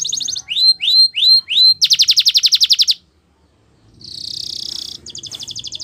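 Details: Training song from a champion canary: a few rising whistled notes, a rapid rolling trill, a brief silence, then a buzzy flat tone followed by another fast trill.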